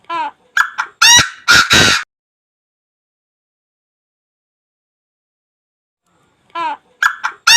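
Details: Chinese francolin calling: a loud, harsh multi-note phrase of short nasal notes building to strident drawn-out blasts, followed by four seconds of silence before the phrase begins again.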